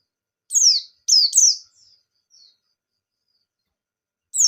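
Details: White-eye used as a lure bird: a few sharp, high descending chirps in quick succession, then faint short notes and a pause before another chirp at the end.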